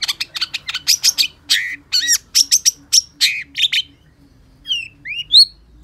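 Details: Long-tailed shrike (cendet, pentet) in gacor song: quick series of scratchy chips and downward-slurred whistled notes, then a short pause and a few sweet rising whistles, with a faint steady low tone behind.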